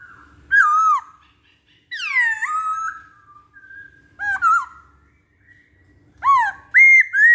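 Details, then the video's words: Masked laughingthrush (poksay Hongkong) singing loud whistled phrases: falling swoops and rising-then-falling notes in short bursts, with brief soft tones between phrases. "Pancingan Poksay Hongkong"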